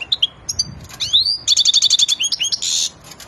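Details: Agitated European goldfinch in breeding condition pours out a varied song: sharp chirps and an upslurred whistle, then a rapid even run of tinkling notes ending in a harsh buzzy rasp.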